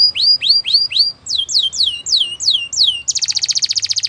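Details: Female Belgian canary singing in the morning: a run of rising-then-falling whistled notes, then faster downward-sweeping notes, ending in a rapid buzzy trill.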